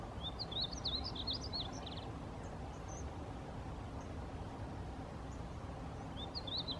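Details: A male Painted Bunting (Passerina ciris) at Rattlesnake Springs, New Mexico, on May 6, 2016, sings a quick, high, sweet jumbled warble lasting about two seconds, then starts another phrase, over a steady low rumble of wind or distant traffic.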